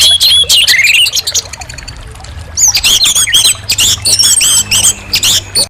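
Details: Lively orange-headed thrush song with quick stuttering notes and short wavering whistles, about three and a half per second, dropping to a quieter pause midway before resuming strongly.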